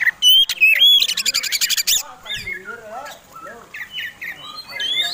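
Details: Oriental magpie-robin fighting song used to provoke other birds: loud clear whistles, a fast buzzy rattle, then descending slurred notes and rising whistled phrases.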